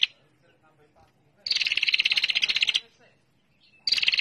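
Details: Female bar-winged prinia lure call, ngetir style: a brief note opens, then after a pause a dense, high, buzzy trill of rapid pulses lasts over a second. A new trill begins near the end.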